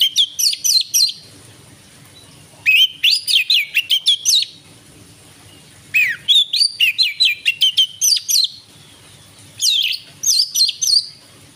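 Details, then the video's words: Oriental magpie-robin in evening song, 12 December 2022, sung to stimulate other birds: four bursts of quick, sharp whistled notes with sweeping slurs, each burst about a second long and spaced roughly three seconds apart, with a quiet low background. "Pancingan sore burung Kacer"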